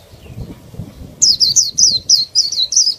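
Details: Caged female Oriental white-eye, kept to provoke males into song, bursts after a quiet second into a fast, steady string of sharp, high, downslurred chirps, about four per second, over faint low rumbling.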